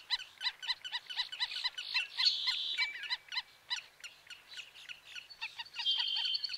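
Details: Black-necked stilt delivering a fast, insistent stream of yapping, harmonic notes. Louder buzzy, nasal bursts and a brief thin whistle interrupt them in places, suggesting several birds calling together.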